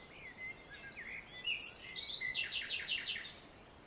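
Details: Great tits at a nest box in a garden in spring, just after the first chicks hatch, with the parents brooding and feeding. Thin whistled notes open the clip, followed by a quick run of sharp, high chirps repeated in a burst near the end.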